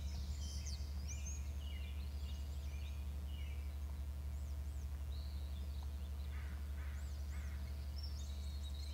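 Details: From inside the nest, an eagle gives bursts of high, thin, arching whistled notes, clustered near the start and again after the midpoint, with a constant low hum from the nest camera.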